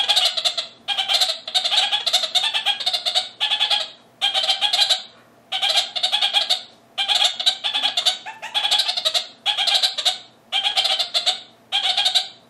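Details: A male red-crowned parakeet in an aviary bleats and chatters at another male in the neighbouring aviary: harsh, rapid bursts, each about half a second long.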